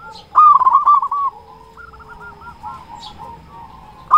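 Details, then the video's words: Loud local zebra dove sung as a lure for quiet doves: one strong, rolling burst of cooing notes, then softer distant coos from another dove, and the start of a new loud phrase at the end. "Perkutut lokal gacor suara besar Pancingan burung perkutut agar cepat bunyi"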